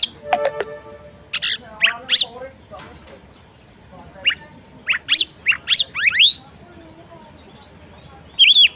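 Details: A female oriental magpie-robin calls to draw the male into song. A short harmonic buzz opens the recording, followed by scattered sharp rising and falling chirps and then a final arched whistled note, over low background noise.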